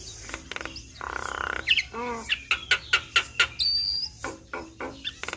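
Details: Javan myna singing in full voice to draw answers from other mynas: a harsh buzz, then a run of sharp repeated ticking notes and a drawn-out high whistle, with hiss behind.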